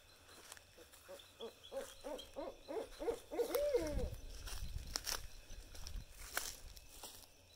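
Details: Barred owl, one of a pair in woods of central Texas east of Austin, calling at night in response to playback: a run of short rising hoots about every third of a second building into a loud drawn-out descending hoo-aw, with rustling.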